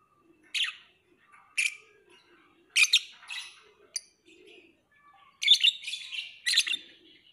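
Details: Lovebird calling in shrill, squawky chirps, some doubled, with soft twittering and quiet low murmurs between the bursts.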